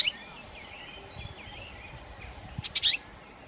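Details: Common redstart singing to defend its territory with a nest while feeding young on insects, May–June 2018. A sharp high note opens, faint twittering runs underneath, then a quick burst of high, scratchy notes comes near the end.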